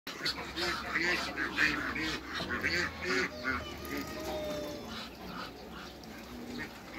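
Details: Hybrid Cayuga duck and female Muscovy ducks meeting, giving a run of raspy, nasal quacks at an irregular quick pace, some overlapping, with a low steady hum and faint background noise.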